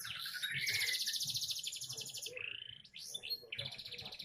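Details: Young canary delivering a dense high buzzy trill for nearly two seconds, followed by a brief rising whistle and another rapid rolling trill.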